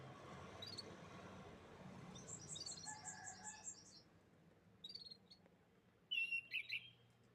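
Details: Canary sings a pulsed high trill of about ten beats, followed after a pause by a short chirping burst and a final loud, wavering whistled phrase; low hum throughout.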